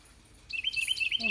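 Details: Male Carolina wren singing to his mate on a spring morning in a garden in mid-eastern Georgia: a quick run of bright, high chirped notes repeated in rapid succession, with a low voice starting at the very end.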